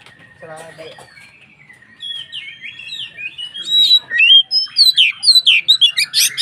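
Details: White-rumped shama (kacer) song used to stir other shamas into singing: opens quietly with a soft low rattle and a long thin whistle, then builds into a rapid loud series of rising and falling whistled notes and sharp chirps.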